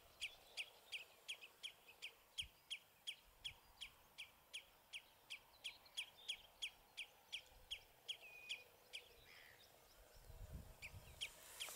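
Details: House sparrows perched on a bramble branch at Battenoord give a steady run of short, bright chirps, almost three per second, for about nine seconds, then fall quiet as a low rumble of handling noise rises.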